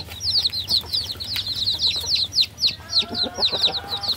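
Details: Chicks cheeping in a steady run of sharp, high down-slurred peeps, about three per second, with a faint low hum beneath.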